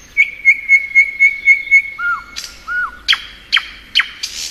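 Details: Thrush nightingale in spring, singing a run of about eight evenly spaced piping notes, two low slurred whistles, then loud, sharp clicking notes with high whistles between.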